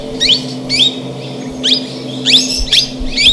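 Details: Plum-headed parakeet calling: short, sharp downslurred chirps, high and bright, given in quick pairs about every half second, with a steady low hum underneath.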